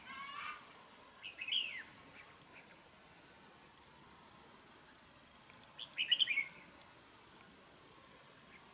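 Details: Caged red-whiskered bulbul kept as a fighting and trap decoy bird in Đồng Nai, Vietnam, with a harsh voice and frequent calling. Two brief sharp chirpy phrases arrive about four seconds apart over a steady high insect whine.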